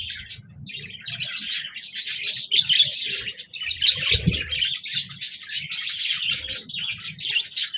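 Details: Several budgies, or parakeets, singing on 26 January 2024: a continuous dense warble of high scratchy chirps and twitters with no pause, a faint soft knock midway.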